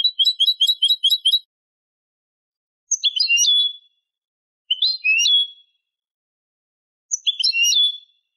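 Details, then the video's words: Goldfinch hybrid singing as a lesson for young birds: a fast buzzy stuttering trill, then three separate complex phrases of slurred twittering notes ending in a drawn-out descending whistle. "ساعة من تغريد هجين الحسون لتعليم الفراخ"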